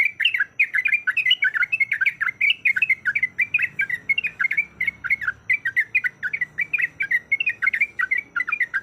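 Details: Yellow-vented bulbul, a breeding-condition female calling a male, in a continuous ropel-style chatter: dense, energetic strings of bright, warbling chip notes, rising and falling, pouring out almost without pause for nearly nine seconds.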